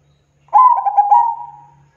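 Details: Zebra dove cooing: one loud rolling coo that opens with quick stuttering pulses, then holds a steady low tone and gradually fades over about a second.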